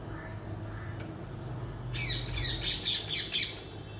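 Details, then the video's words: A parrot gives a burst of quick, harsh squawks after two seconds of near quiet, coming about twice a second over a low background rumble. "REAL PARROT CALLING"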